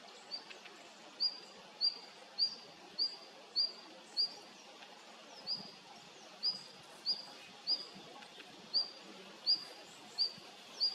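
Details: Red-flanked bluetail, a female, repeating a thin, high, rising call note about every half second to second, a faint softer note at the start, with low rustling outdoor noise beneath.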